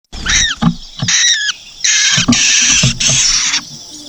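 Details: Nestlings beg loudly as the mother bird feeds them: a few high, falling chirps, then harsh, raspy bursts of hissing calls, with soft low thumps of movement underneath.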